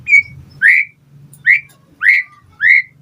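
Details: White-rumped shama lure song for provoking replies and tutoring other birds, here reduced to clear rising whistled notes repeated roughly every half second, over a low background hum.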